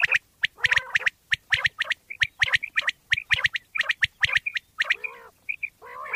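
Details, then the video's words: Common quail (bater) in Pakistan, in a hunting-lure recording: rapid repeated clicks and short whistles pulse about once a second, ending in lower nasal, wavering buzzy calls. "Bater wali Awaz mp3 / sounds of Quail mp3 / Pakistani Bater wali Awaz mp3"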